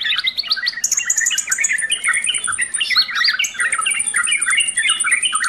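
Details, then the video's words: Sooty-headed bulbul delivering a full-content song: quick jumbled warbling notes under long thin high-pitched trills that run for a second or more, continuous and loud. "SUARA TRUCUKAN FULL ISIAN"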